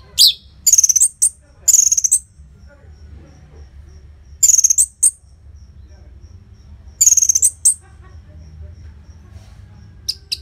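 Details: Orange-headed thrush song with tight spacing and loud volume, meant to stir silent caged birds into singing: short bursts of high, rattling, buzzy whistles repeated every few seconds, with quiet gaps between.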